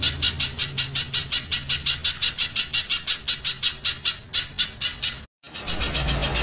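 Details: Dense, loud spiderhunter song of sharp high notes nearly three a second, broken by a brief silent gap before the rapid notes resume, with a faint low hum.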